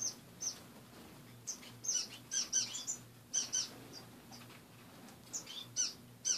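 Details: Pet finches in a cage in the morning: bright high-pitched chirps in clusters with short pauses between, a few birds calling together over a faint steady hum.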